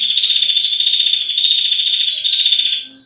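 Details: Female red-headed prinia delivering the long ngetir rattle used as a master recording for songbirds: rapid high ticking continues steadily, then fades out abruptly near the end, followed by a brief click.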